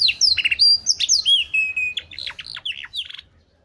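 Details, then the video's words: Canary in cengkok mantap song delivering quick high chirps, a sustained thin whistled trill, then a string of sharp downward-sweeping notes that end in silence. "BURUNG KENARI CENGKOK MANTAP"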